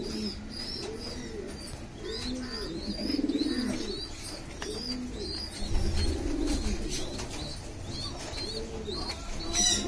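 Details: Domestic pigeons, homers, fancy and roller pigeons, feeding their chicks indoors; rapid high thin peeps repeat many times a second over lower, rounded cooing notes, with some wing flutter and room noise.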